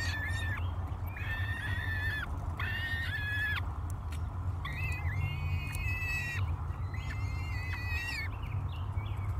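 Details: Peregrine falcon chicks, three of them, begging hungrily at breakfast on a nest cam at Great Spirit Bluff in May 2022; repeated quavering, whiny screams about a second long, separated by short pauses, over constant wind rumble.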